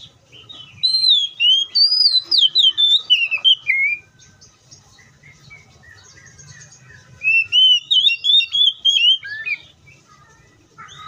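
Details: Oriental magpie-robin singing in the wild: two rapid bursts of sweet whistled and slurred notes, each about three seconds long, separated by a quiet gap with faint low hum.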